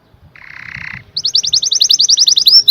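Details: Canary song opening with a soft buzzy rattle, then a fast series of sharp repeated chirps rising in loudness, ending in an upswept whistle.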